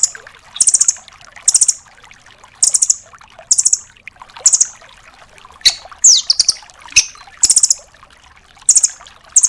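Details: Velvet-fronted nuthatch (rambatan doraemon), tembakan-style song used to tutor caged songbirds: a steady run of short, high, chattering trills about once a second, plus a few slurred downward notes midway and light background hiss.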